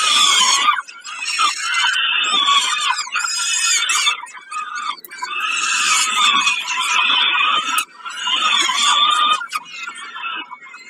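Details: Peregrine falcon calling over a snack at Kawęczyn, 20 May 2022: repeated bouts of harsh, wailing screeches, each lasting two to three seconds, separated by short pauses.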